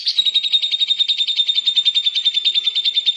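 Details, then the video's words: Rapid, even trill from a lovebird doing its 'ngekek' chatter meant to draw replies from other lovebirds: high, slightly nasal notes repeated about three to four times a second, steady in pitch throughout just over three seconds. "Burung Lovebird manapun akan nyaut dan ngekek panjang"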